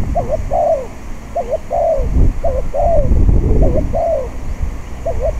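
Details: Spotted dove cooing on a windy day while being used as a decoy to lure wild doves into a trap enclosure. Short paired hooked notes alternate with longer falling coos, repeated steadily. Low wind rumble runs underneath.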